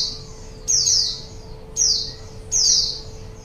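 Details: A white-eye sings to lure wild birds, three high, bright descending notes spaced about a second apart, a faint hum underneath.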